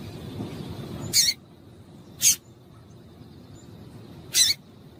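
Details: Female double-collared seedeater giving calls to stimulate males: three loud, abrupt, high-pitched chips, roughly one to two seconds apart, over faint background noise.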